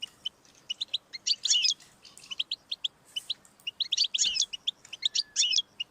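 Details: European goldfinch song used to stimulate a pet goldfinch: continuous bright twitter of quick chirps with denser buzzy, tinkling flourishes recurring throughout.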